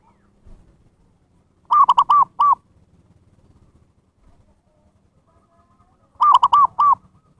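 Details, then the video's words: Zebra dove call used to lure wild birds: two loud phrases about four and a half seconds apart, each of four quick, rounded, arching coo notes, against near silence. "SUARA PIKAT PERKUTUT นกพิราบชวา Chim Cu Vằn | memanggil burung liar"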